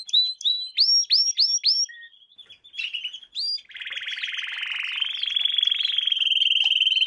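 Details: Canary singing for young birds to learn: a run of rising whistled notes and brief chips, then a long, fast buzzy trill that climbs slightly and rolls on steadily.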